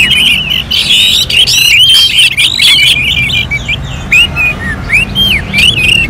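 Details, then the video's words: Orange-headed thrush in competition-style song. Fast, tumbling, bright whistles and warbled phrases come in quick bursts, followed by separate rising and falling whistled notes. A faint low background rumble is heard. "KICAUAN ANIS MERAH SEPERTI SIMULASI LOMBA"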